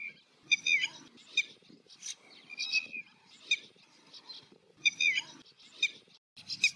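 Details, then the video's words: Red-wattled lapwing calling in the background while a little egret searches for fish: loud, shrill, sharply repeated notes in quick bursts every second or so, over a faint low background rumble. "Red wattled Lapwing Sound / call in the Background"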